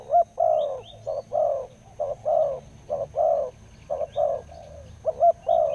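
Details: Big-voiced wild spotted dove of the 'khu-ang' type, followed for almost two years, delivering a quick sequence of paired hollow coos, short then longer, repeated about every second, with faint high chirps from other birds.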